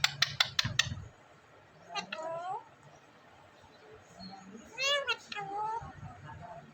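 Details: Pet parrot in Vehari, Punjab, Pakistan, recorded by mobile phone, makes a burst of sharp clicks, then two falling, harmonic speech-like calls, with faint people talking nearby.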